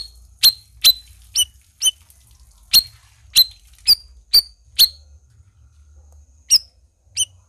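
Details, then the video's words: A Black-crested Bulbul in full song gives about ten sharp, high, squeaky chips, spaced unevenly about half a second apart, with a quiet low background. "SUARA CUCAK RAWIS GACOR"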